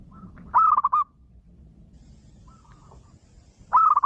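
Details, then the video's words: A young local Zebra dove is used as a lure call to set other doves cooing. It gives a rapid, rolling series of soft trilled coos: a half-second phrase repeated about every three seconds over quiet background hiss. "SUARA PANCINGAN MANGGUNG BAKALAN PERKUTUT LOKAL ALAM BIKIN PERKUTUT LAIN IKUTAN MANGGUNG"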